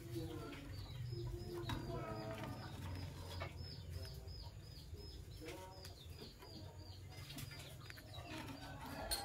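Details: A green Fischer's lovebird couple in the morning, chirping in a rapid, steady stream of short, sharp, high notes that run through the whole stretch over a low background hum and rustling.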